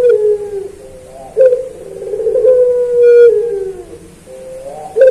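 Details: Cage-kept puter pelung Barbary dove, used as a training recording for other birds. Long, deep coos run almost without a break, with purring rolls that swell and then stretch into a sustained, slightly falling hum.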